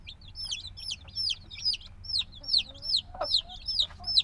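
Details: Days-old black chicks, still dependent on their mother's warmth, chirp in a loud steady stream of high descending peeps, roughly two to three a second, with a brief lower cheep midway.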